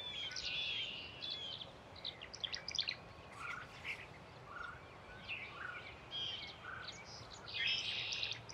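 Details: A nesting tree swallow pair, male and female, at Patuxent Research Refuge, Laurel, Maryland, in April 2024. Scattered high chirps and short twitters, fairly soft, with a louder cluster near the end over steady background hiss.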